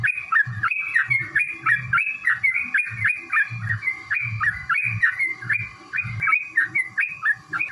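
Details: Yellow-vented bulbul's long fighting song, meant to spur other bulbuls to sing: dense, rapid chattering whistles about three per second, accompanied by regular low thuds and some background noise.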